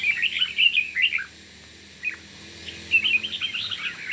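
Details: Red-whiskered bulbul in morning competition singing: a quick warbled phrase, a second of silence, a single sharp note, then another run of bright, chattering notes.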